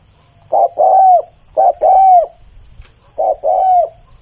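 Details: Spotted dove cooing three two-part phrases, each a brief clipped note then a sustained, slightly descending coo, spaced about a second apart in a quiet setting.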